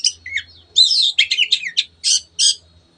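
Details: Long-tailed shrike in excited song meant to set other birds singing: a rapid jumble of high, scratchy, rasping notes run together, then two separate harsh bursts, over a faint low hum.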